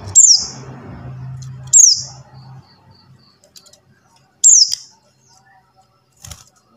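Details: Buxtoni white-eye calling as a lure for white-eyes that will not sing: quick high notes sweeping downward, three loud ones at uneven intervals, low hum fading out midway.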